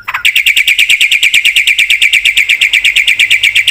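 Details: Black-winged myna singing a full filler song: a short swooping note leads into a steady, rapid trill of high, ringing chirps, repeated about eight times per second without a break.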